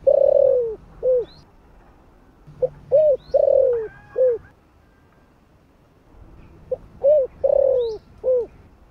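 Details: Spotted dove (cu gáy) singing in the 'giọng thổ' voice style, kept for luring other doves: three soft, low cooing phrases about three seconds apart, each a short note, a long sliding coo and a clipped ending note, over quiet background.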